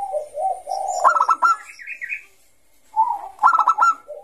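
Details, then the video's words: Zebra dove of the Bangkok type, singing actively in ngayer style as a lure for young birds: wavering low coos run into rapid pulsed note bursts, a brief gap, then another staccato phrase. "Suara Burung Perkutut Bangkok Gacor Kutut bangkok Gacor Ngayer ini cocok Untuk Pancingan Kutut MUDA"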